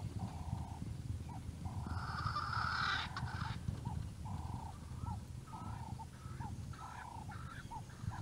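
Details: A male Swainson's spurfowl at the Naledi Cat-EYE cam in South Africa, 10 November 2020, showing off his call, gives a run of harsh, grating notes rising toward the end over a steady low rumble.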